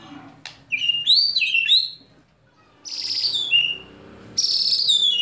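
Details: White-rumped shama in kretekan and tembakan song, played to rouse other shamas to sing: sharp, very high, rattling and chattering bursts with squeaky whistled slurs, separated by brief gaps over a low background hum.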